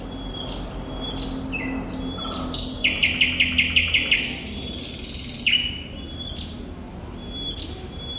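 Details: Thrush nightingale song, likely a kept bird: varied whistled notes lead into a fast series of about nine loud, evenly spaced clicking strokes, then long pure whistles at changing pitches, with steady low hum behind.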